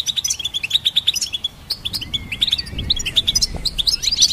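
Goldfinch twittering in a fast, high, tinkling stream of bright notes and short trills, with a faint low rumble in the background.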